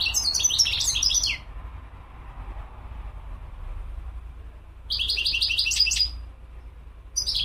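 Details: Goldfinch song in short high tinkling phrases: a chattering burst at the start, another midway and a third beginning at the end, over steady low background hum.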